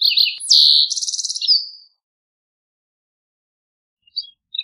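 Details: Green-tailed towhee singing: slurred opening notes, a sharp upward sweep into a high whistle, then a rapid buzzy trill and a falling closing note, lasting about two seconds, followed by a few faint, scattered notes.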